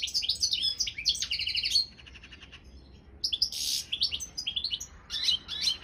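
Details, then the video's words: European goldfinch, Balkan subspecies Carduelis carduelis balcanica, recorded for a world singing championship: rapid twittering phrases ending in a fading trill, a quiet gap, then loud harsh chirps and further twittering. "Pesma štiglića 002/23 World Championship in Goldfinch Song"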